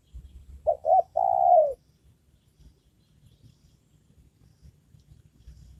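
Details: Spotted dove kept as a trained lure bird for trapping wild doves gives one phrase: two quick short coos followed by a drawn-out descending coo, then quiet with soft low background noise.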